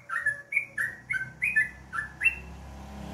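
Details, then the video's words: Yellow-vented bulbul in the morning giving a brisk run of seven liquid, slurred whistles, some doubled, evenly spaced about a third of a second apart, then falling quiet over a soft hum. "alarm pagi,suara burung trucukan"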